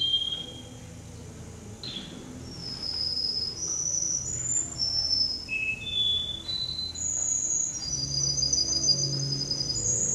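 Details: Male canary number 10 singing at a Rostov-on-Don canary contest on 22 January 2011, a chain of smooth rolled trills that step up and down in pitch, each held a second or more, over low hall noise.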